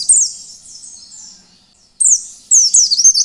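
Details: Wild-style Oriental white-eye song meant to prompt other white-eyes to sing: one high sweeping twitter fading away, a pause, then two sharp bright bursts of descending notes.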